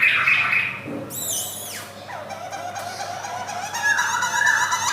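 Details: Male white-cheeked Black-throated laughingthrush, caged in a collection in Yogyakarta, Indonesia, 2021. Its song is dense and varied, mixing high downward-sweeping notes, buzzy rapid elements and warbled whistles, with faint room echo.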